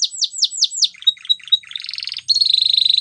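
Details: Waterslager canary song opening with five loud downward-sweeping whistles, followed by short gurgled notes, a burst of buzzy pulses and a fast even rolling trill.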